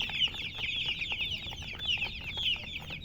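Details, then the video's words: Colored chickens peeping shrilly, a short burst of fast, high chirps repeated in quick succession from several birds together. "silly chicken chirping sounds"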